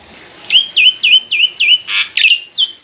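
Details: Mature caged black-winged myna singing as a lure to draw a response: a regular series of about eight loud whistled notes, each sliding down then levelling, with one harsh rasping burst among them.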